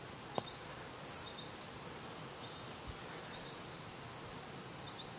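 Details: A young Eurasian pygmy owl calling its parents, perched on a branch in a Jura forest in Switzerland, gives faint, very high, thin hissing notes, spaced irregularly, against a quiet background hiss.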